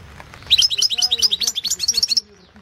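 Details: Goldfinch song from the 2016 World Championship in Goldfinch Song, an internet competition: a steady, lively run of about twenty bright, high chirping notes delivered quickly and evenly, lasting nearly two seconds.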